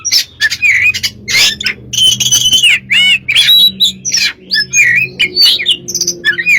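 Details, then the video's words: A kacer, or Oriental magpie-robin, sings a lure song of harsh squawky bursts, curling whistles and short chirps, delivered over a noticeable low droning hum. "burung kacer gacor untuk pncingan"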